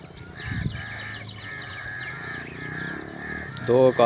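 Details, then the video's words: Crow calling in a natural setting: harsh, drawn-out caws repeated one after another, with a louder burst near the end. "The amazing birds natural crow sound"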